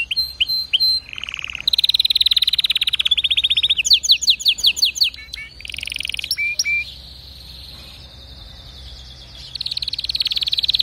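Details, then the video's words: Canary song built from varied phrases: fast high trills, downward-sweeping notes and a buzzy low section, then a quieter pause before a steady rapid trill resumes near the end. "اذا كناريك ما تغير في ضرف دقيقة اطلقو وبلاش تربي كناري"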